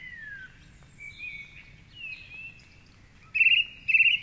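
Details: Dawn chorus song of a song thrush at 4.45am in Cork City, Ireland, near the Curragheen River, recorded by a microphone on a rock facing its treetop perch: faint slurred whistles, then two loud trilled phrases repeated at the end.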